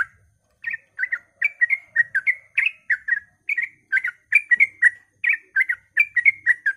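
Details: Early-morning rapid song of a yellow-vented bulbul, used to stir other bulbuls into song: bursts of quick liquid whistled notes with short gaps, slightly looser pacing, faint low rumbles behind.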